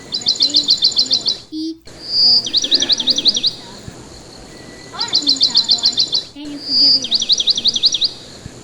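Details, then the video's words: Pet parakeet tweeting while being spoken to: repeated bursts of quick, high, rattling chirps alternating with shrill whistle-led trills, separated by brief quiet gaps, with soft human speech in the background. "Talking to my bird the bird tweets"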